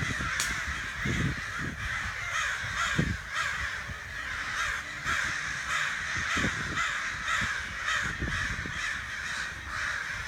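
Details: Steady, continuous cawing from crows outside a back door, hoarse calls following one another closely, with scattered low knocks and thumps underneath.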